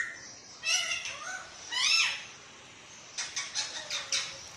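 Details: Captive green parrot mimicking human talk: a couple of harmonic, word-like phrases with shifting pitch, a pause, then a quick string of clipped, chattering syllables.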